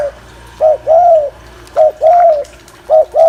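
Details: Spotted dove gù, a coo to excite males, in steady pairs: a short low note then a longer, slightly arched mellow one, repeated about every second and a quarter.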